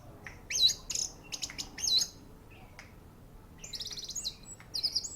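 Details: An orange-headed thrush sings at a contest ring with high, sharp notes and buzzy trilled strings mixed with clipped chirps, broken by brief pauses.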